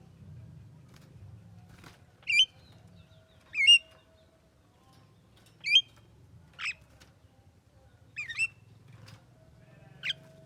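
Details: Javan myna, said to be talking, giving short harsh squawking bursts roughly every one to two seconds, separated by quiet stretches with a low background hum.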